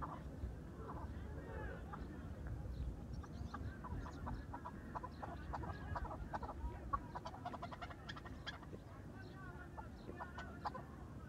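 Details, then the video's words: A farm-raised chukar partridge gives bursts of rapid, clucking chuk notes, repeated in quick runs over a steady low rumble of background noise. "فارمی چکور کا آواز"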